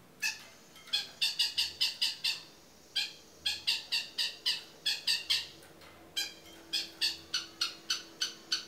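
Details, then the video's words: Long-tailed shrike in lively 'toet miyik' style song, kept as a tutor recording for other birds: three bursts of harsh, buzzy, broadband notes, each fast-repeated about six to eight times, separated by short pauses. "CENDET GACOR TOET MIYIK MASTERAN UNTUK SEMUA JENIS BURUNG"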